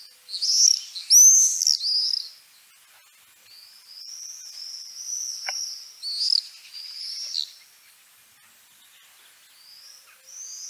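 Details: Common Swift scream, the typical call also known as a screech: shrill, high-pitched drawn-out screeches in bursts, loud at first, then a series of fainter screams, with a brief click midway.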